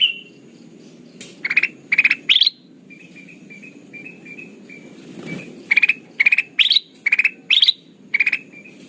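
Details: Sooty-headed bulbul lure call used to attract birds for trapping: short bursts of three or four quick, bright chattering notes, some rising at the end, repeating in irregular groups with pauses, over a faint steady high whine.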